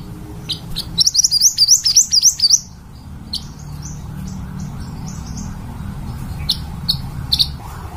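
A fairywren sings a fast, very high reeling trill of zigzag notes lasting about a second and a half, then a few scattered thin chips over a low hum.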